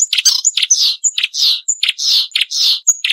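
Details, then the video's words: Marsh warbler in a sharp training song for caged songbirds: thin, high whistles alternating with harsh, buzzy, rasping notes in quick succession. "Masteran Burung Suara Tajam - Masteran Nembak Tajam - Mars Warbler"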